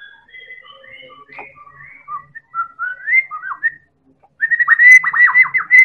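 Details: Medan White-rumped shama recording meant to provoke other birds into singing: a soft series of clear whistled notes at varying pitches, then a loud fast run of rising-and-falling whistles.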